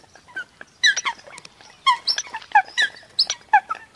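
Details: Eurasian coots give short, clipped, nasal call notes in loose bursts, with a brief fainter stretch before louder paired notes resume.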